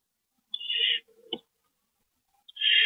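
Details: Owl during an evening rodent delivery on March 28, 2012: a half-second harsh hissing screech, a low rustle and sharp click, then a second loud screech starting.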